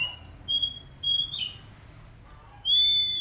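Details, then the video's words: Oriental magpie-robin song meant to get untrained birds singing: a fast phrase of mixed whistles, a short silence, then one long, steady, loud whistle. "Terapi Kacer Bahan Agar Cepat Bunyi"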